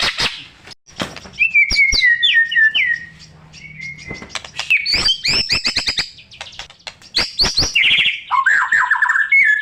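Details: Caged white-rumped shama song used to draw out silent birds: clicks, a quick warbled descending run, then high rapid chattering notes and a buzzy trill at the close.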